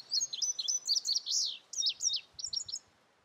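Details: Male Indigo Bunting that claimed his territory in May in a forest clearing in Vermont sings a bright, high series of paired, sweet notes, some sliding down, over about three seconds, with faint low background noise.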